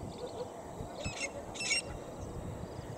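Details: Grey francolin call: two harsh, shrill notes about half a second apart over low background rumble.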